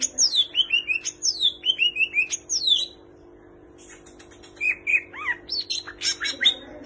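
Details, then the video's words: Greater green leafbird singing energetically, its song packed with imitations of kapas tembak and cililin birds: quick descending whistled slurs repeated about three per second, a short pause, then rapid chirps and rising notes. "Cucak Ijo Gacor Full Isian Tembakan Kapas Tembak dan Cililin"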